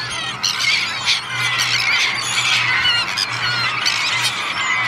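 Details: Huge feeding flock of about 15,000 gulls, mostly herring, black-backed, lesser black-backed, common and black-headed, with 5,000 Kentish and common terns, on Fanø Beach, Denmark, 14 August: a dense, continuous clamour of overlapping squealing calls over a steady low hum.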